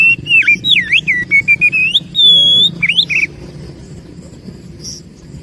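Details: Bird-attracting lure song of an oriental magpie-robin (kacer): a fast string of clear whistled notes, some V-shaped dips, a long level whistle, then a rising flourish before fading to quiet hum.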